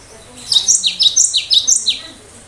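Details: Cinereous tit in full, sharp 'tembakan' song used to trigger other birds to answer: a fast run of about eight loud, high, downslurred notes, evenly spaced across two seconds.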